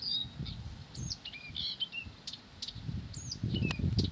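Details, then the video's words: Nonstop Blyth's reed warbler song of chattering ticks, descending whistles and brief buzzy notes, delivered rapidly, while low rumbling noise rises toward the end. "САДОВАЯ КАМЫШЕВКА НЕ В СИЛАХ ПОМОЛЧАТЬ!"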